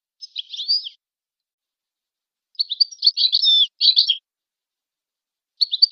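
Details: European goldfinch singing, as pure training song: a short twittering phrase, a longer run of rapid tinkling and buzzy high notes after a pause, then another phrase beginning at the end. The background is quiet.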